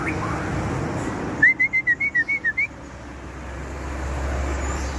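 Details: Aceh shama in full song outdoors delivers a rapid burst of about nine loud, evenly spaced whistled notes on one pitch, then falls quiet against low background noise.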